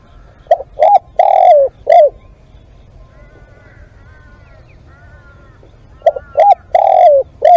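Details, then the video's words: Live decoy spotted dove cooing twice: each phrase has two short hollow notes, a long rolling coo and a clipped falling end. Faint higher whistling from another bird fills the gap between phrases. "เสียงนกเขาใหญ่ ต่อสด"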